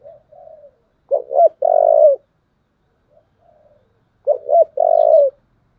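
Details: Spotted dove in the thổ voice style uttering its fighting call: soft low coos, then two loud phrases of two short rising coos and a long level coo about three seconds apart.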